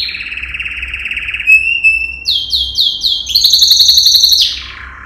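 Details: Yellow canary, Serinus canaria, male singing a training song: a long rolling trill, a thin whistle, swooping repeated notes, then a high rapid series sliding down at the end.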